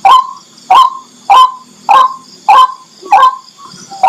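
White-breasted waterhen giving loud, harsh croaking notes, about seven in four seconds at a steady pace, over a faint high insect-like hum.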